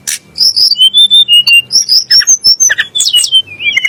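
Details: Sunda blue robin song, used as a rival voice to stir magpie-robins and shamas: quick series of clear high whistled notes and short slurs, mixed with a few harsher chirps, delivered in a fast steady stream.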